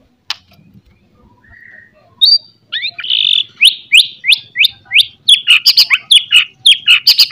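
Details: Loud morning song of a white-rumped shama, used as a lure to make shamas more aggressive; a few scattered notes, then a rapid series of sharp, sweeping chips repeated about three times per second, growing denser.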